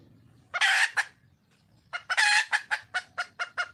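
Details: Wild red junglefowl hen calling for a male: a loud harsh drawn-out squawk, then after a pause another squawk followed by a run of short clucks about every quarter second.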